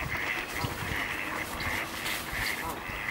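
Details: Ducks fighting on ice: a flock keeps up steady overlapping quacking calls, a few louder quacks standing out every half second or so.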